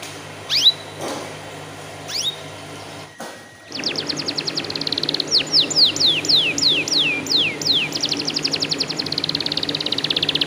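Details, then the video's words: Canary singing as a lure for young canaries: two isolated sharp notes, then a long fast trill of even high pulses with a run of descending whistled slurs in the middle. "PANCINGAN KENARI BAHAN TERBARU"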